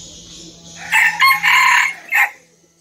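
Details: Dawn crow of a small decoy red junglefowl cock in Vietnam, an eager crower: a sharp broken phrase of four strong bursts, a short stutter, a longer held section, then a clipped closing note, followed by quiet.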